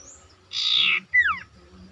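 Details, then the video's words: Sooty-headed bulbul singing insistently: a half-second harsh, buzzy rasp, then a clear whistled note that slides sharply downward, doubled by a fainter echoing slur. "sirtu ngoceh gacor ngotot cocok buat pancingan sirtu macet bunyi"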